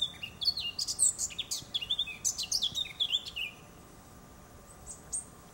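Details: Garden-singing Eurasian blackcap delivering a fast, scratchy warble of jumbled chirps and slurred notes for about three seconds, then falling quiet apart from a couple of faint high notes.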